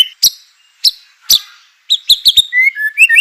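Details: White-rumped shama song meant to provoke other shamas into singing: sharp high chips at spaced intervals, then a quick run of bright notes ending in short rising whistles.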